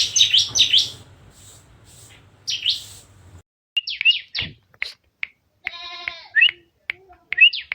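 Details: Bar-winged prinia (ciblek) in a recording meant to prompt other ciblek to sing: high, sharp chirps and buzzy notes in quick bursts, with a faint low hum early on and a brief bleat-like harmonic sound near the end.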